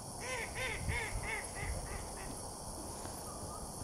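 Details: Mallards around a lake give a quick string of nasal quacks, roughly six in two seconds, fading toward the end, with low rumbling background noise beneath.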